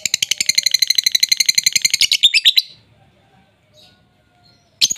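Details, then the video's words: Lovebird song played to coax a silent lovebird into singing: a rapid, steady high chattering trill for about two seconds, ending in a few louder notes, then near silence and one final sharp chirp. "Pancingan Ampuh Love Bird"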